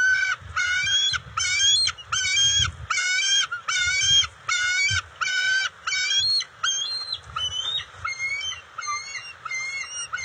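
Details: Juveniles and adults at a bald eagle nest, June 29, 2021, during eel and fish deliveries with a scuffle and sharing. Loud, rapid, harsh squealing chirps come in bursts about once a second, then break into higher wavering whistles.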